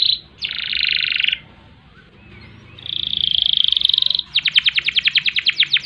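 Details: Singing canary in long ngerek-ngerol-nembak song: a harsh buzzy burst, a pause, a long high rolling trill, then a fast series of loud downward-sweeping notes, over a low background hum.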